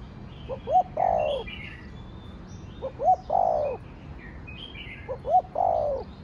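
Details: Spotted dove crowing in the Thổ Đồng style, repeating three times a short double hoot followed by a drawn-out, hoarse, falling coo, roughly every two seconds; faint high twitters of other birds in the background.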